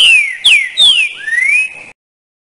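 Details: Green-winged saltator (trinca-ferro) giving loud, echoing slurred whistles that fall in pitch, ending on a drawn-out upward-sliding note.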